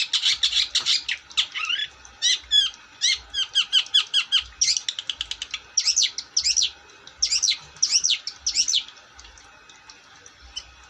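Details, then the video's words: Long-tailed shrike singing energetically: a scratchy opening burst, then a fast series of sharp, clipped notes and looping whistled phrases. The song fades out toward the end. "Burung cendet gacor"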